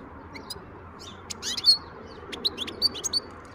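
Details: Wild European goldfinch recorded in 2023, giving varied high twittering notes, a short buzzy burst and several sharp, clear tweets spaced irregularly, with low steady background noise.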